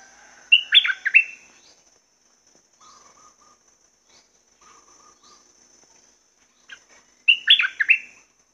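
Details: Red-whiskered bulbul kept as a cage bird sings two quick, bubbling whistled phrases about six seconds apart. Faint low chirps and a soft steady hiss fill the gap between them.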